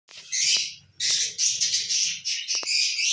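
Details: Captive lovebirds, lutino and masked (personata) birds, during a breeding check: harsh, high, scratchy chattering in dense bursts, broken by a short pause near one second, with a few sharp clicks.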